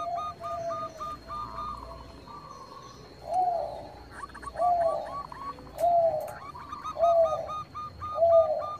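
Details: Singing Bangkok zebra doves, a lure to set rivals singing: repeated low rounded coos every second or so, interleaved with quick strings of higher staccato notes from what sounds like a second bird, faint steady hum.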